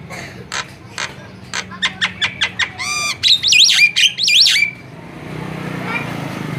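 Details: Javan myna in full constant song, its voice used to lure other birds: a run of short clicking notes, then loud harsh squawks and twisting whistled chatter, ending abruptly, with a low hum behind.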